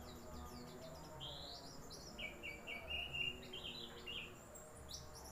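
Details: White-eye singing a lively run of short chirps and twittered notes, some slurred upward, some in quick clusters, over a steady low hum and a faint constant high tone.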